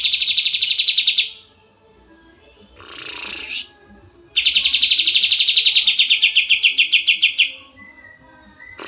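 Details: Oriental white-eye song, from a bird kept as a master singer by songbird enthusiasts: a rapid high trill, a harsh broadband burst, then a long steady trill of quickly repeated notes lasting about three seconds, ending with faint thin whistles.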